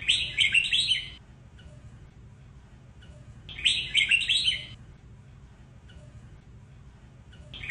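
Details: White-cheeked red-whiskered bulbul singing in the Sông Kôn song style, a recording used for training: bright, warbled phrases about one second long that rise and fall. Two bursts arrive roughly three and a half seconds apart, with a low, steady background hum.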